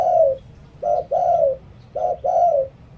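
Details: Spotted dove used as a lure bird in Thailand, cooing in Liw Tan style. Two short-long coo pairs are heard, the long notes mellow and falling toward their end, with a quiet background.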